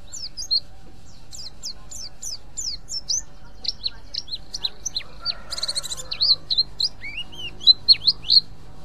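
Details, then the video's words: Ngriwik call of a mountain white-eye, meant to draw in other white-eyes: rapid series of sharp, high, downslurred chirps in quick succession, briefly broken by a noisy rustle midway, then rising whistled notes and louder chirps over a low background hum. "pleci ngriwik ampuh memancing pleci lain GACOR"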